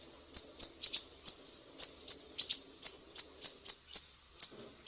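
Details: Besetan song of a Sumatran mangrove whistler, recorded as a master for training songbirds: piercing high chips, singly and in close pairs, repeated about three times a second with a faint background hiss.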